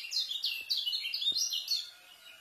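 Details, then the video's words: White-eye in fast, densely packed 'speed' song style, used as tutor material for newly kept white-eyes; rapid high twittered phrases, sharp descending and rising notes tumbling together for about two seconds, then fading. "KECIAL SPEED RAPET ISIAN,COCOK BUAT MASTER KECIAL BARU"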